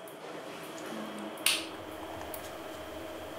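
No animal voice; a single sharp squishy click or snap stands out against a quiet, steady background hum, with a faint knock at the very end.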